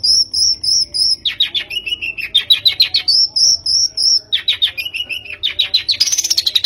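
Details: Long-tailed shrike lure sound to prompt singing: high whistled phrases alternate with rapid, falling chattery runs, finishing in a fast, buzzy, high trill.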